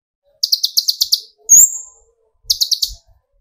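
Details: Kolibri ninja sunbird, used as a lure for provoking song in other birds. A quick series of about seven high buzzy notes gives way to a loud thin whistle, then a shorter burst of similar notes.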